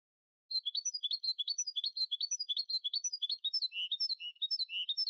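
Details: Goldfinch mule, a newly moulted captive hybrid, delivering a steady stream of varied high chirps and twitters, some notes dipping lower near the end.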